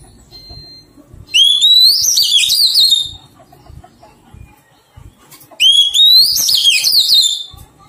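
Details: Two identical loud phrases, about four seconds apart, from an Oriental magpie-robin undergoing taming after wild capture: each a clear rising whistle running into quick warbled notes, with quiet room noise between.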